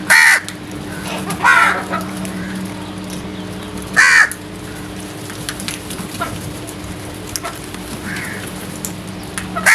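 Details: Crows in the early morning giving loud, harsh caws, four spaced calls spread over about ten seconds with quiet background hum between them.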